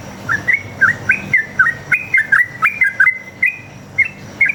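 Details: Chatty sooty-headed bulbul singing a fast forest-style fighting song, played to draw replies from other bulbuls: clear liquid whistles with rising and dipping turns, about three notes a second, in a quiet background.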